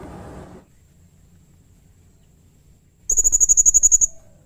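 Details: Serindit, or blue-crowned hanging parrot, singing actively for a cage-bird tutoring recording: after a brief low rustle, a single rapid, even trill of about ten needle-thin, very high notes.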